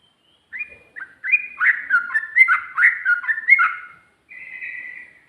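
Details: Rapid 'ropel' song of a sooty-headed bulbul, with 'ngikluk' and 'garuda' elements: a tumbling string of mellow, warbling whistled notes rising and falling, ending after a pause in a drawn-out, slightly buzzy note.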